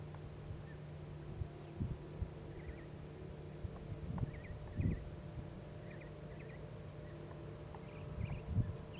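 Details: A male Pileated woodpecker excavating a cavity for his mate chisels wood with a few irregular, heavy knocks over a steady low hum, as faint high chirps from small birds come and go.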